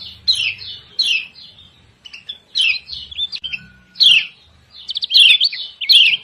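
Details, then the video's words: Calls of a female lemon-bellied white-eye from Lombok, used to coax quiet birds into song: scattered sharp downslurred chirps, short pauses, then a denser burst of quick twittering notes near the end. "CIAK CIAK KECIAL KUNING SUPER AMPUH PANCINGAN BIKIN KECIAL MALAS BUNYI JADI RAJIN BUNYI"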